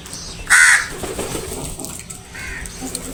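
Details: Crows going after food; a single loud, harsh caw about a third of a second long stands out early, followed by faint background calls and rustling.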